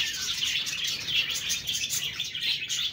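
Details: Busy high twittering of several budgerigars, overlapping quick chirps and short whistles forming a steady chatter.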